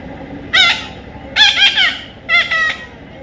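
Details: A baby Indian ringneck parrot under taming utters three separate rasping squawks about a second apart, the middle one a double note, over a faint room hum.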